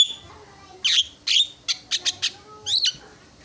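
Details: Javan myna song aimed at provoking rival mynas: a few loud, harsh squeaks, then a quick trio of short clipped notes and a final scratchy double note, with quiet gaps between.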